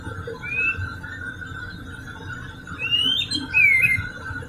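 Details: White-rumped shama song used as a lure to get other shamas to sing: a few clear whistled notes, rising and slurred, spaced apart, over a steady low hum and faint background noise.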